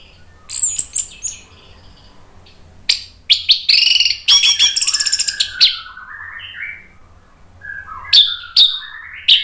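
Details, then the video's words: Caged orange-headed thrush singing loudly to provoke other birds into song: varied bursts of high sharp chirps and rapid buzzy notes, then slurred descending whistles and further sharp calls. "ANIS MERAH GACOR NGEPLONG memancing EMOSI jadi NYAUT BUNYI"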